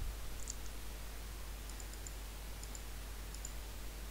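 Only a steady low rumble with a few faint, very high ticking clicks; no animal voice is heard.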